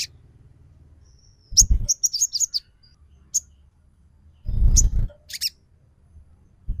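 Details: ['Crimson Sunbird lure call, played to provoke a bird into singing and excitement: scattered thin high chirps and a short twittering run, with two loud low thumps between the bursts.']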